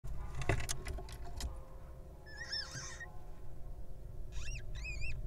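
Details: Wild little owl chick hatching from its egg: a few clicks and taps early on, then two short bursts of squeaky, rising-and-falling chirps over a steady low hum.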